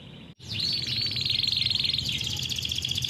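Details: Captive canary singing a fast rolled phrase, a song used to train young canaries: after a brief silence, a continuous high buzzy trill pulsing rapidly and dipping slightly in pitch, with a low hum underneath.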